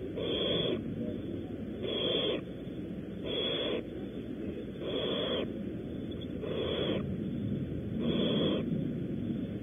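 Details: Barn owls at a nest at Audubon Starr Ranch, California, during prey deliveries: long breathy hissing screeches, each about half a second, repeated roughly every 1.5 seconds over steady background hiss.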